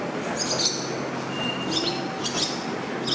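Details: Male barn swallow raising five chicks sings at Kugayama station, Japan, on 27 June 2022 while watching passengers pass: brief high twittering chirp bursts and a thin steady whistle over constant rumbling train and station noise.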